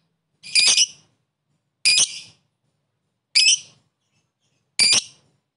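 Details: Lovebird calls used to provoke a rival fighter bird into chattering: four harsh, buzzy high calls spaced about one and a half seconds apart, with silence between them.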